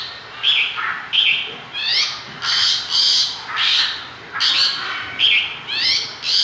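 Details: Mongolian lark singing actively (gacor), giving regular short bursts of harsh, rasping high notes mixed with brief whistles, roughly one burst each second.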